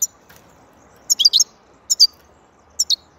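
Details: European goldfinch giving short clusters of high, thin chirps, two or three notes each, spaced by pauses of about a second, against faint hiss.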